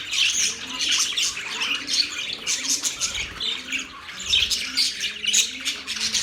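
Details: Budgerigars chirping: a dense, continuous chatter of high, scratchy squawks and short twittering notes, with brief pauses around the fourth second. A faint low hum runs beneath.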